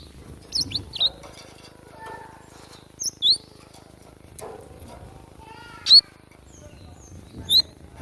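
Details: Wild Java sparrow in a fight, recorded as natural training sound: sparse, sharp high chirps and short twitters scattered through the clip, separated by quiet gaps.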